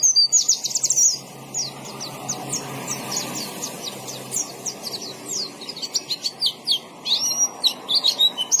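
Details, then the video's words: A white-eye singing a fast, thin, very high twittering stream of short downslurred notes, about three per second, over a steady hiss of background noise, with the song pausing briefly midway. "KICAUAN BURUNG PLECI GACOR NGALAS"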